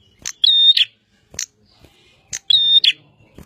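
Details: Bar-winged prinia singing lively: bright chip notes and two loud phrases, each a sustained even whistle opening and closing on a harsh buzzy note.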